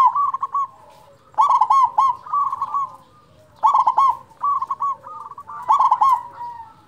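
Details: Local zebra dove with a powerful voice, recorded to trigger song in lazy zebra doves, delivers three loud, clattering coo bursts a couple of seconds apart, linked by continuous softer rolling coos.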